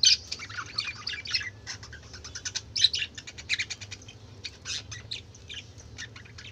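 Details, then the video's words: Budgerigar commotion: a steady stream of rapid, high twittering notes and scratchy warbles from several birds, with occasional sharper squeaks. "কালারফুল পাখিদের চেঁচামেচি ৷ বাজিগর পাখির ডাক"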